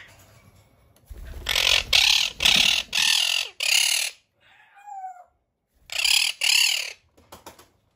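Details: Caged pet monk parakeet threat-calling indoors when its territory, particularly the cage's bottom mesh, is touched: loud harsh grating squawks in quick bursts of about two per second, a brief whiny note between, then two more rasping screeches.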